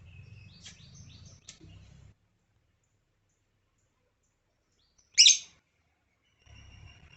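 An African lovebird gives one loud, shrill, harsh screech after a few faint high chirps at the start, with low background hum between.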